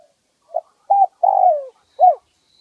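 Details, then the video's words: Spotted dove, a wild bird with a mid-pitched voice, giving its one-kuk song phrase, a 2020 decoy recording: brief low coo, a steady coo, a drawn-out falling coo, then one rounded closing note. "เสียงนกเขาใหญ่1กุก สุดยอดนกหมาน ป่าเต็ม100 เสียงกลาง"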